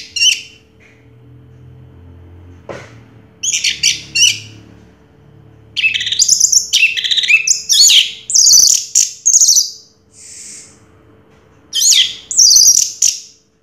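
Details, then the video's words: First-place contest orange-headed thrush from 2022 giving scattered bursts of very high, sharp chattering and twittering notes, separated by short silences and one faint drawn-out tone. "Suara Burung Anis Merah Juara Pertama Tahun 2022"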